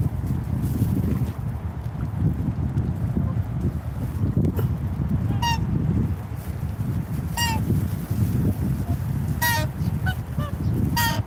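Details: Single swan honks ring out at intervals of about two seconds in the second half, each short and clearly harmonic, over a steady low roar of ambient noise.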